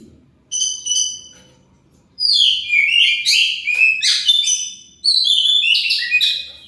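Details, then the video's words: Oriental magpie-robin lure song to get other birds to answer; a short pulsing whistle, silence, then two long, dense phrases of rapid, jumbled whistles and harsh scratchy notes. "Pancingan Kacer pasti nyaut"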